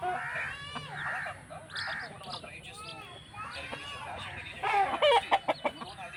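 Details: Chickens on a rooster farm making a run of short clucks and nasal calls, roughly three a second, some bursts louder near the end, with human voices mixed in the background.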